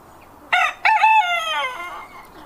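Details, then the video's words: Rooster crowing: a harsh harmonic crow of about one and a half seconds, opening with a short burst, breaking briefly, then a longer held note that drawls downward and fades, over quiet background. "Suara Ayam / Animal Sound / Rooster Sound"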